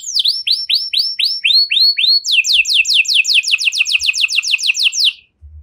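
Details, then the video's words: Canary with luxurious 'cengkok mewah' song: a row of looping, curled whistles, then a quick run of sharp falling strokes about five a second, ending abruptly. "Burung Kenari Mana Saja Pasti Ikut Gacor Setelah Dengar Kenari Cengkok Mewah Ini"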